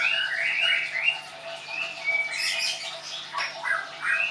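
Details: White-rumped shama of the Leuser type, caged at a training school in Tangerang, Indonesia, singing softer, somewhat distant whistled phrases mixed with thin high trills over a faint background hum.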